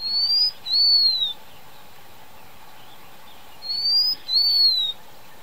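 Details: Blue-winged minla giving a thin, high whistled phrase of two sliding notes, the first rising and the second gently falling, repeated once about three and a half seconds later over a faint steady background hum.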